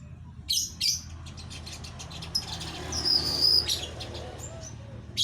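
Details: A caged female weaver in a small aviary calling to the male: bursts of sharp, high chirps and one longer, thin, steady whistled note, over a low background hum.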